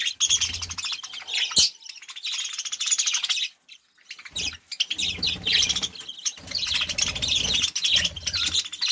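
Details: Ten breeding budgerigars with young in an aviary chatter as a chorus with dense, scratchy, high chirps and warbles.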